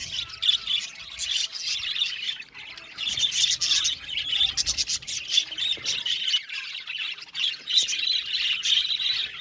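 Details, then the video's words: Many budgerigars in an aviary chattering together, steady bright twittering and warbling with rhythmic bursts of chirps throughout. "Beautiful Budgies chirping sound"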